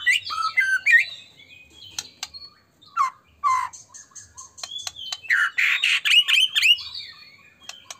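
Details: White-rumped shama song meant to provoke other birds to sing: varied whistles and sharp clicks, then a loud harsh buzzy burst mixed with quick chirps, pauses between the phrases.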